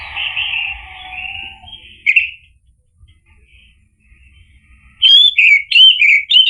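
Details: Orange-headed thrush song used to provoke a bird into singing: a hissing band and a brief note, near silence, then a loud sequence of bright, rising-and-falling whistled notes at the end.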